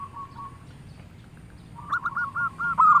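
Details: Local zebra dove in lively song: after a quiet stretch with a faint hum, a quick series of short, rolling coo notes at even mid pitch begins and grows louder toward the end.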